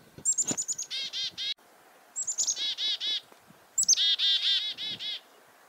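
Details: Chickadee alarm calls on a farm in February 2021, given because of a nearby goshawk. Three loud bouts, each opening with sharp, high chick-a notes and ending in a rapid series of harsh, buzzy dee notes.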